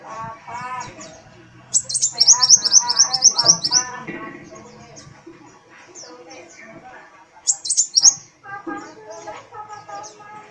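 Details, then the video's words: Sunbird (kolibri wulung) with dancing tail, delivering two bursts of very high, rapid repeated sweeping notes, the first about two seconds long, over a background of lower chirps and murmured human voices. "Kolibri Wulung Gacor"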